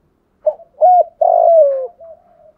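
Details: A spotted dove gives its urging coo and calling song: a soft, low cooing phrase of four notes, the third long and drawn out and sliding down at its end, in a quiet setting.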